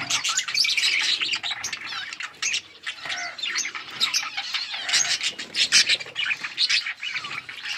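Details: A flock of pet budgies, or parakeets, sings on August 19, 2024 with constant scratchy chatter, rapid chirps and squeaky warbled phrases, loud and unbroken throughout.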